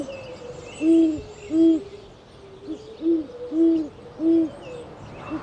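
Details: Deep owl hooting from a mixed owl compilation: rounded, hollow notes in loose pairs and singles, repeating at an uneven pace over a faint, steady background tone.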